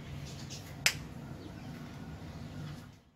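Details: A single sharp click, like a finger snap, cuts through a steady low indoor hum, with no animal voice.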